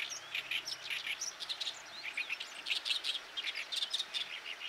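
An Oriental reed warbler sings a loud, harsh, chattering song of rapid grating and squeaky notes, run together without pause over faint background hiss.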